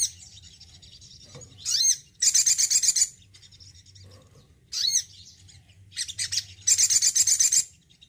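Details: Singing often in care, a male Crimson Sunbird twice repeats a pattern of a swept, slurred note followed by a fast, evenly spaced trill of high sharp chips.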